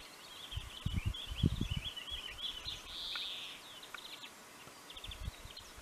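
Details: Pine grosbeaks calling in Finland at Neljän Tuulen Tupa in March 2023: a run of chirpy whistled notes building to one drawn-out clear whistle, then short clipped notes, over low knocking and wind-like rumble.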